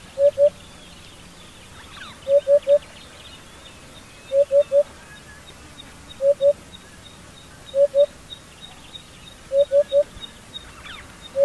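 African hoopoe giving soft, low, hollow hoots in quick groups of two or three, repeated about every two seconds, over faint high insect hiss.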